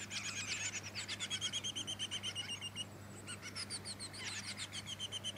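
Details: Malurus splendens melanotus, the black-backed splendid fairywren, Victoria, Australia, December 2017. Loud, high, reeling trills of rapid repeated notes pour out in two long bouts separated by a short pause, with a faint low hum underneath.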